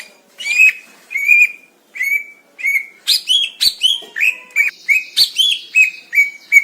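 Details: Greater green leafbird singing in the wild in Indonesia: steady, clear whistled notes repeated at first slowly, then faster, roughly one note every half second, mixed with brief sharper chips.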